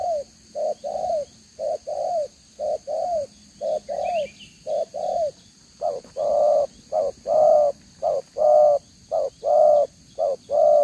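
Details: Spotted dove cooing in the 'đồng gáy 1 hậu' style, two-row spotted neck, 11 June 2023; a long sequence of soft paired coos, a quick note followed by a drawn-out one, growing fuller midway, with faint chirps in the background.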